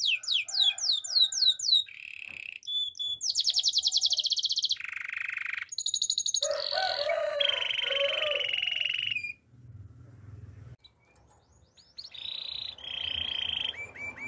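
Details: Training song of a Yorkshire canary, made of changing tours: fast slurred sweeps, then dense buzzy rolls, sustained rattling trills and a lower gurgle. The song stops for a stretch with only low hum, then resumes with high trills.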